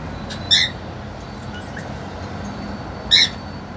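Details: Pair of caged cockatiels, a two-month-old female and a young male desperate to mate, gives two brief, bright, harmonic chirped calls about two and a half seconds apart against a quiet humming room background.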